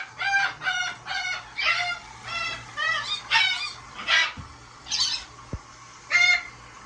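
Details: Big blue parrot in a sink bath calling repeatedly: short harsh honking squawks, rich in harmonics, about ten bursts in seven seconds, a couple of sharp knocks and low hum behind.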